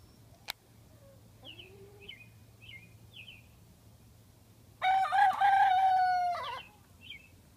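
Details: Silkie chicken, a backyard bird kept as a hen and revealed to be a rooster, giving one drawn-out crow of about two seconds, held level then breaking at the end, after soft chirps and quiet peeping.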